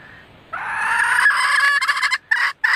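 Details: Hen red junglefowl calling to attract males, a lure recording: one long, steady, harmonic note held for over a second, breaking into a few choppy fragments and then short separate bursts.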